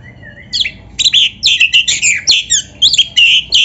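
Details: Kacer, the magpie-robin, singing in a training recording for caged birds: a soft opening whistle, then a rapid run of loud, varied chirps and trills repeated several times a second, high and bright throughout.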